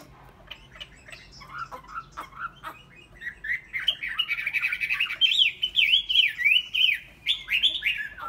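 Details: Caged Chinese hwamei starting with soft scattered chips, then breaking into a loud, fast sequence of ringing whistled notes rising and dropping in a steady rhythm.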